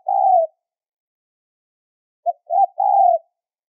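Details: High-pitched spotted dove lure call for trapping, with a long coo, a pause, then a clipped note, a brief rising note and another sustained coo against a silent background.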